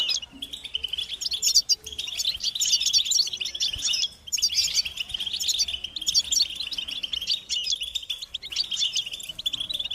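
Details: European goldfinch batbata used as a stimulation track for males: continuous bright, high twittering with jingling trills and buzzy chatter, loud and unbroken apart from brief dips, and a clean quiet background.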